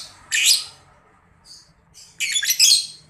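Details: Caged grey-cheeked bulbul (labet) in breeding condition giving harsh, scratchy chattering bursts, one short and a longer burst with a few faint notes between, used to provoke long calls.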